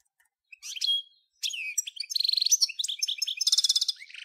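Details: European goldfinch singing in the 'nature' song style, the same song as birds from Djnane Bouecha, Ain Dalia dam and Djoudi farm, Souk Ahras (Taghast), Algeria, 1995: high twittering phrases, a drawn whistle, then rapid buzzy trills and tinkling notes.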